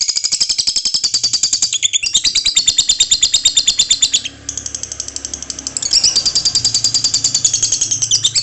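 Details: Female lovebird giving loud, continuous rapid chattering, the local style called ngekek, checked in the evening before a bath; harsh high notes pulse several times a second with almost no pause, plus a faint low hum.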